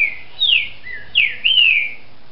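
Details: A captive Green-winged saltator in Brazil, bred by a licensed amateur breeder, gives a few rich, slurred whistles, falling and rising phrases in quick succession, changing its song, with a quiet background.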